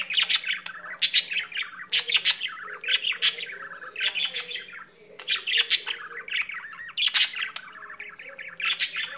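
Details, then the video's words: Singing pet budgerigar delivers a continuous chattering warble, rapid clicks and tweets packed together with brief squeaky accents about every second, almost no pauses across the whole stretch; faint steady hum in the background. "il cocorito canterino"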